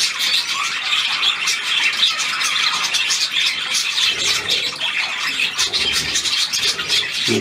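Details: Budgerigars kept as pets, playing with their keeper on September 9, 2021, keep up a steady stream of shrill chirps, rasping squawks and warbled twitters, overlapping throughout, with a brief lower sound at the very end.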